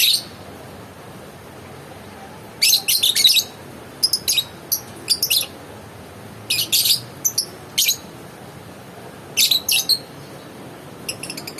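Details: Lovebird calling in repeated bursts of piercing, scratchy chirps, clustered groups of sharp notes spaced every second or two, over a quiet low background hum.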